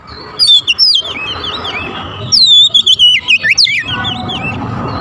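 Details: Oriental magpie-robin (kacer) lure song for attracting birds: two bursts of loud, sweeping whistled notes, rising and falling quickly, separated by a short pause, over a steady low hum.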